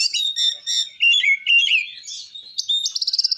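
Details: Oriental magpie-robin singing ngeplong-style to provoke other magpie-robins: a continuous stream of bright whistles and warbling slurs that ends in a fast, even series of short, clipped notes.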